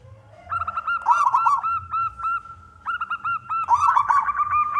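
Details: Zebra dove male, a local wild-type contest bird, singing to prompt other doves to call; quick series of clipped coo notes in two rolling phrases, with faint low thumps underneath.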